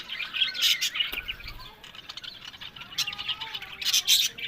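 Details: Pet budgerigars in a breeding collection in Larkana, Sindh, trading rapid chirps and buzzy twitters in short uneven clusters, several bursts each second, with brief clicks and quieter gaps between louder flurries.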